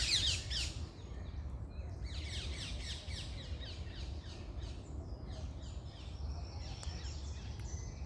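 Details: Morning birdsong: a burst of high chirps, then series of quick descending buzzy notes repeating, set against a constant low rumbling background.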